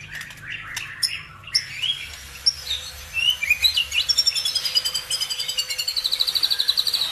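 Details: Lure song meant to stir other birds into singing: a jumble of sharp chirps and short whistles that settles into a fast, regular, high trill of rapidly repeated notes, over a faint low hum.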